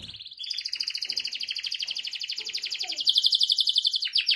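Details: Canary singing one long continuous rolling trill, high and buzzy. It grows louder and more pulsed toward the end, with a faint low chirp in the background.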